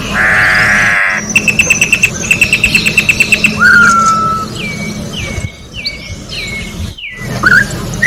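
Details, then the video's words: Orange-backed troupial singing in nature: a harsh nasal buzz, then a fast even series of about a dozen bright high notes, followed by long clear whistles, some sliding down and others hooking sharply upward. "Corrupião Cantando na Natureza"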